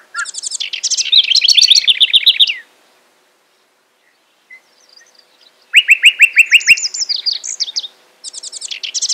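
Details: House wren singing at Hulls Gulch, Boise, Idaho: two long bubbling, rapid chattering phrases of trilled notes that start high and tumble downward, separated by a three-second pause, then a third burst beginning at the end.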